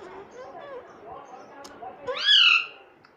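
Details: Talking Indian ringneck parakeet mimicking "mummy": quiet, murmured babble, then one loud, bright, falling syllable near the end, indoors.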